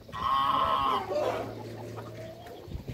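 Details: Toulouse goose, one of a pair in a backyard with other waterbirds, gives a loud nasal honk lasting about a second that drops into a lower, softer tail; a steady low hum runs underneath.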